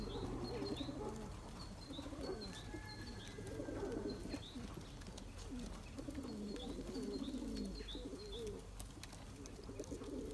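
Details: Breeding Turkish tumbler pigeons in their loft pursue their mates, cooing in low, wavering phrases, while small birds chirp repeatedly, thin and high, above them.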